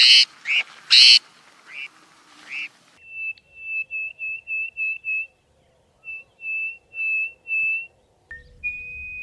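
Greater Hoopoe-lark: a few harsh, buzzy notes, then a run of clear, level, piping whistles, some clipped short and some drawn out, ending on a long held tone.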